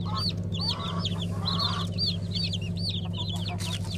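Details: Black Araucana chickens from the 2020 season flock, many birds calling at once in quick, high, curved peeps, about two or three a second, with some lower clucking and a constant low hum beneath.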